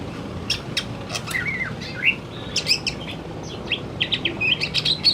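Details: Afternoon song of a male greater green leafbird: varied chattering phrases mixing clicks, slurred whistles and quick high chirps in an irregular, busy flow over a soft background hiss.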